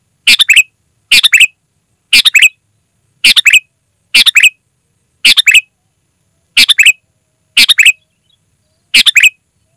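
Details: Sooty-headed bulbul singing loudly and clearly, an unmixed recording used to lure wild forest bulbuls and to tutor caged ones: short chattering phrases of three or four quick bright notes, repeated about once a second, nine phrases, silent background.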